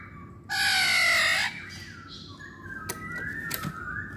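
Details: Poksay Hongkong, the masked laughingthrush, gives one loud harsh rasping burst lasting about a second, followed by faint whistled notes and low background noise, in a recording made to lure birds.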